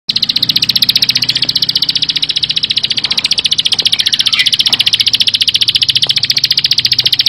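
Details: Bar-winged prinia singing in the dense 'full bren' style: a fast, unbroken run of sharp, high chipping notes that continues steadily for the whole seven seconds, with a faint low hum underneath.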